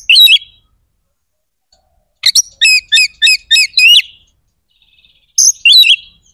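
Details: Oriental magpie-robin 'gacor' song, aimed at provoking other magpie-robins' aggression and breeding urge: a short twittered phrase, then six quick, evenly spaced, ringing whistled notes, and a final brief phrase after a silence.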